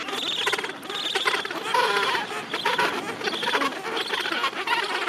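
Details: Gentoo penguin rookery crowded with thousands of birds, recorded at the end of summer. Many birds bray at once in rapid, pulsed bursts, roughly one per second, over a busy, hissing background.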